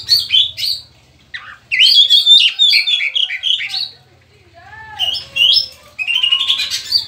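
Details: Male Oriental magpie-robin kept at home, singing varied chattering and whistled phrases with short pauses, over a low background hum.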